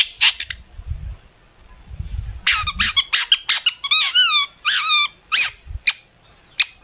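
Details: Long-tailed shrike singing a varied song played to prompt other shrikes to sing: a dense series of sharp clicks, then repeated rising-and-falling whistled notes, with low thumps early on and a fainter echoing room sound.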